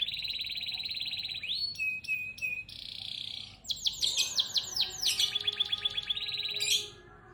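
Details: Canary song, varied and continuous: a long buzzy trill, clipped notes, a steady held tone, then rapid falling sweeps speeding into a fast rattling trill that ends abruptly.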